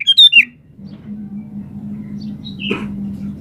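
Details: Lively sooty-headed bulbul opening with a fast trio of clear whistled notes sliding downward, followed by one thin chirp against a steady low hum.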